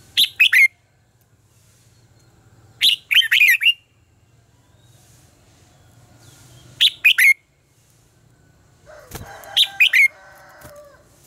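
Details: Red-whiskered bulbul singing contest phrases meant to stimulate other birds: four short, bright three- to four-note bursts repeated about every three seconds, the last over a patch of rustling background noise.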